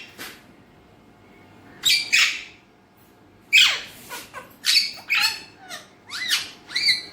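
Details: Alexandrine parakeet known as a talking parrot in Urdu and Hindi, recorded raw: after near silence, loud rasping squawks with steep downward sweeps come in irregular clusters about every second.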